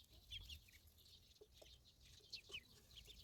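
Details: Several ducklings give thin, high peeps in quick, uneven succession, with a few brief chirps standing out over a low background hum.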